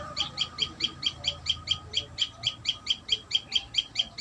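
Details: Common tailorbird at its nest: a rapid, steady series of high, sharp chirps, about four or five each second, evenly spaced and of equal loudness throughout.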